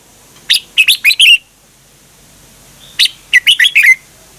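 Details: Thai Red-whiskered Bulbul song, kept in a cage, used for training birds to copy or for stirring them up. Two quick phrases come about two and a half seconds apart, each a run of four or five loud chirpy whistles.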